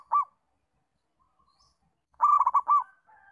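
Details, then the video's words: Zebra dove of local stock, recorded as a training lure for other doves: one isolated coo, a pause, then a full phrase of fast rolling notes ending on a longer hoot. "Masteran & Pancingan Perkutut Lokal untuk melatih Perkutut Bahan Belajar Bunyi"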